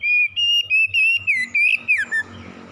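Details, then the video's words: Oriental magpie-robin in morning song, aimed at settling stressed birds: a nearly unbroken run of loud, pure whistled notes, each a short pulse, gliding slightly up then dropping at the end. "PEMULIHAN KACER SETRES DENGAN KICAUN PAGI CEPAT GACOR"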